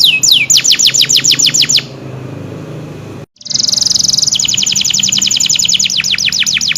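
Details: Canary singing two bursts: a quick run of descending high whistles, a pause, then a buzzy high trill leading into a long rapid series of repeated sweeping notes.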